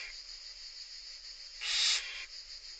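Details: Nestling Barn owls begging while their mother feeds them, from an Italian monitoring project: a single loud, harsh hissing screech lasting under a second, trailing into a softer rasp, amid a constant low hiss.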